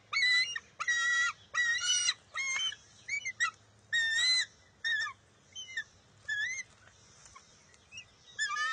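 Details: Eaglet of bald eagles squabbling with its mother over a fish at the nest in June: repeated high, piercing squeals in rapid bursts, about one per second, some long and wavering, later notes shorter and fainter.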